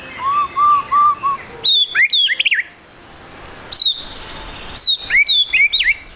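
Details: A spotted 'trotol' white-rumped shama sings in lively 'gacor' style as a lure for quick singing: a soft run of low level whistles, then high looping whistles and sharp twisting notes in bursts.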